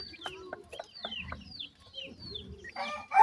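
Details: Teetar chicks of a francolin family feeding: soft, high, slurred peeps falling in pitch, mixed with tapping clicks, ending in a brief loud burst.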